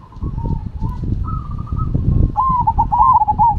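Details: A zebra dove of the Cemani or Silver variety sings rolling, stuttering coos over loud low rumbling noise, the phrase building toward the end with rapid wavering notes.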